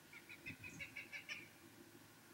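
A Cooper's hawk gives a quick run of about eight harsh, clipped notes, a cackling series over roughly a second, against a low background rumble.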